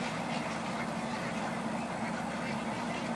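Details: Thousands of egrets coming in to roost, a dense, continuous din of harsh overlapping croaks and squawks with no single caller standing out, over a steady low hum.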